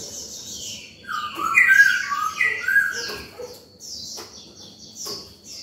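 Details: Oriental magpie-robin singing freely in the morning, in heated form, used to call wild birds and train young birds: a mid-clip burst of rich slurred whistles and short warbled phrases, framed by faint high notes and steady background hiss.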